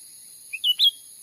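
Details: Wild cucak ranting in a Sumatran forest, used as a trapping lure, giving a quick three-note phrase: a brief soft chirp, then two louder, high whistled notes, the last rising and ringing slightly longer.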